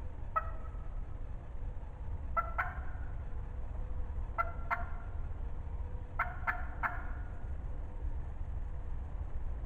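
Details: Wild turkey hen calling close by in the spring 2020 season, very loud and talkative: short yelping notes in pairs and triplets, scattered over about ten seconds above a steady low rumble.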